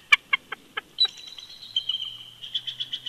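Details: Bald eagle pair duetting at their old nest snag at Big Bear Lake, California, in winter: a few sharp spaced clicks, then a thin high piping whistle breaking into rapid chittering notes.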